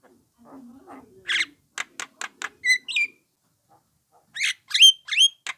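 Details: Young Javan myna calling, used as a lure to provoke a response from other mynas: harsh buzzy bursts, a series of rapid clicking notes, then squeaky whistled notes with upward inflections, plus a faint low hum early on.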